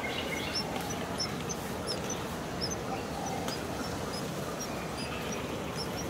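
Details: Nestlings of the Taiwanese light-vented bulbul being fed by parents in a nest just outside a window, fourth feeding day: sharp, very high squeaky chirps repeated throughout, roughly twice a second, against constant broadband noise.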